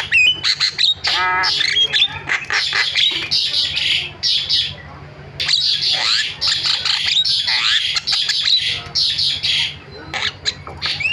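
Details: Lure recording of starling (jalak) calls meant to make silent starlings start calling: long stretches of harsh, scratchy chatter interspersed with buzzy notes and brief whistled slurs, nearly continuous for eleven seconds.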